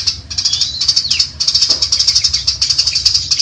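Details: A long-tailed shrike trained for lively singing pours out fast, high chattering notes almost without pause, with one clear downward-slurred whistle early on. A steady low hum sits beneath.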